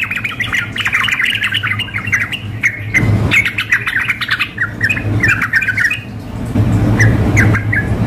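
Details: Contest-simulation mix of a female sooty-headed bulbul calling a male and a spirited male: fast jumbled chirps and harsh squawks, thinning to scattered short notes, against a persistent low hum.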